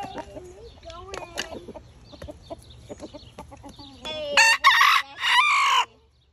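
A bantam rooster gives a loud, harsh crow near the end, broken into short strained bursts, after soft clucks and chatter.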